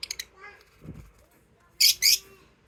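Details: Pet lovebirds: three quick high chirps at the start, a quiet murmuring gap, then two loud, shrill, harsh calls in close succession at the end.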